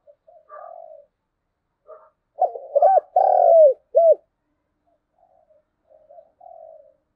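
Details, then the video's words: Spotted dove thúc gù cooing in thổ đồng voice, a lure to draw wild doves into calling back; soft distant coos open, then a loud close burst of deep, rounded coo notes, fading to faint coos again. "cu gáy thúc gù/ Tiếng cu thúc gù hay bổi nghe ức chế gáy theo cả ngày"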